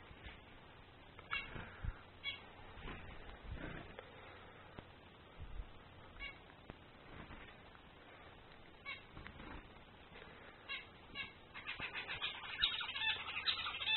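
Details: Scattered short nasal calls from a male zebra finch give way in the final two seconds to a continuous run of buzzy, rapidly repeated song syllables over a faint low hum.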